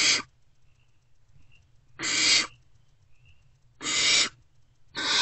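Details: Great horned owlets, still not fed, screech from their nest box in early morning darkness on 3 March 2024 as an adult returns; four broad, rasping bursts in five seconds.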